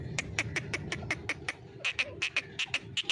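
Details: Grey francolin calling: a steady series of sharp, clipped notes repeated about three times a second, grouped into runs with a brief pause midway, over a low background rumble.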